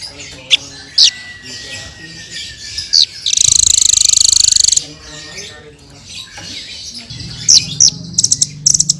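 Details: Hanging parrot (srindit) in full, energetic song: thin high chirps and short sharp notes, with a fast buzzy rattling trill in the middle and a clear level whistle; faint background murmur.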